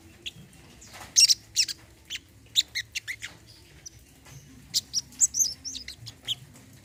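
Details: Olive-backed sunbird, locally sogon or kolibri kelapa, in a therapy recording for mute birds: loud, high, clipped chips and short trilled bursts, scattered in groups with gaps of silence.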